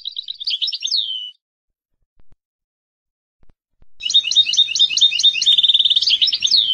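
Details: Palestinian goldfinch singing: a short high trill ends in a descending slur. A pause with faint clicks follows, then a long, dense twittering phrase with a buzzy, trilled stretch over a faint low rumble.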